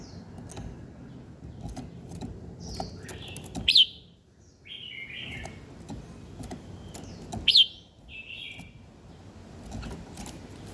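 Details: Morning birdsong with two loud sharp downslurred whistles about four seconds apart, each followed by softer warbled phrases, plus scattered clicks and a low steady rumble underneath.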